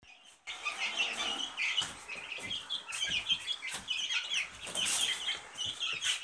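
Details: Silkie chicken chicks peeping together in a dense chorus of high, thin, rapid cheeps that overlap continuously after a brief quiet start.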